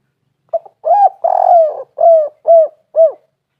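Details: Spotted dove call used to lure other doves into calling: a short soft note, then a long rolling coo followed by four evenly spaced mellow hooting coos, each slightly rising then falling, in clean quiet surroundings.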